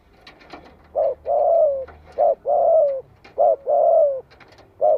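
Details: Spotted dove calling to stimulate other doves to call back: low, hollow coos in a repeated pattern of a short note followed by a longer drawn-out coo, heard three times, with faint clicks and taps between.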